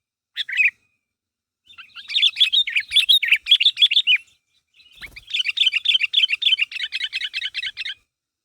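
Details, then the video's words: Sooty-headed bulbul (kutilang) calling to make others answer: a brief chirp, then two long runs of fast, jumbled, bright chirping notes separated by a pause. "Suara Burung Kutilang Gacor Memanggil Temannya Agar Bunyi"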